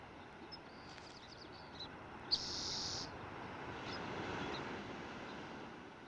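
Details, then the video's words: A Spotted towhee in coastal California chaparral, where they usually sing just a trill, gives a single fast, buzzy, high trill under a second long over a steady background rumble with a few faint chips. "Spotted towhees along the California coast usually sing just a trill."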